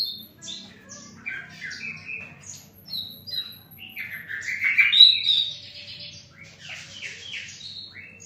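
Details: Varied, fast song from a flycatcher called sikatan londo: high chirps, slurred whistles and squeaky notes in an irregular stream, peaking in loudness midway with a sharp whistled phrase.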